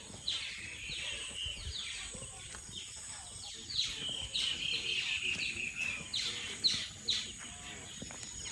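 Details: Several common mynas (shalik) chatter at once beside the Amtali river, Guimara, Khagrachari, with harsh, squeaky notes tumbling over each other at a fast, uneven pace; a person speaks briefly amid faint outdoor noise.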